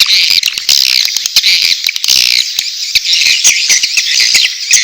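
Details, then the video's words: Many swiftlets giving mating calls together with chick calls: a high, sizzling, twittering chorus with sharp clicky accents, steady and unbroken. "SP.BIRAHI+ANAKAN+RBW 1 ( LINK LANGSUNG DOWNLOAD MP3 SUARA WALET DI DESKRISI)"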